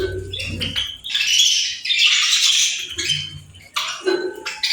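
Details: Playful birds chattering in a dense, harsh, scratchy warble with high squawks and short chirps running almost continuously, broken by brief pauses, with a soft low rumble underneath.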